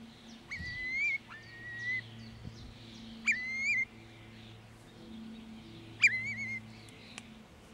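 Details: Eurasian curlew giving communication calls: clear whistled notes that start with a sharp upward sweep and then hold level, sometimes wavering, spaced a few seconds apart, against faint low background hum.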